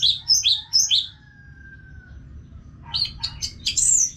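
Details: Orange-headed thrush song used to train caged birds: three loud, falling whistled notes, a faint long thin whistle, then a quick cluster of sharp notes ending in a high slurred phrase.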